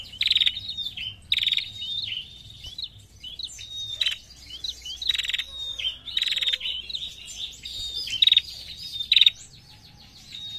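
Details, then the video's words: A female prinia calls persistently in 'narung' style. Bursts of high chirps alternate with short pauses, and quick trilled notes come near the end. "PRENJAK BETINA GACOR NARUNG MANTAP"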